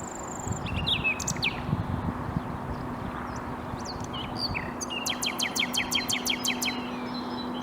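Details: Common nightingale singing in Bursa, Turkey, on 14 April 2021: scattered high whistled notes, then a fast run of about ten sharp, evenly repeated strokes, over a steady low engine-like hum.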